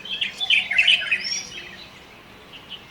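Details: A Light-vented Bulbul in urban Shanghai, China, gives a quick burst of bright, chattering notes for about a second and a half, then fades to a few faint chirps.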